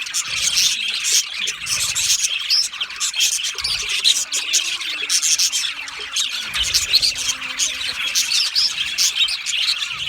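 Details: Lonely budgies making loud sounds, said to signal contact calling or insecurity; constant scratchy high chatter with squawky bursts, plus a faint low wavering tone in the background.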